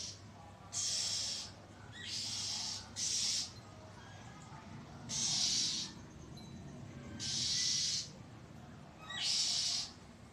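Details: Oriental magpie-robin scolding loudly and at length, recorded 1 April 2023: harsh, hissing rasps about a second long, repeated every couple of seconds over low background noise.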